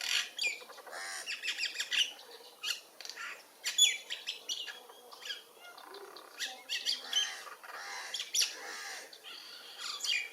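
Mynas chatter in a busy jumble of harsh squawks, clicks and high whistles, bursts coming every second or so, with several birds calling over one another.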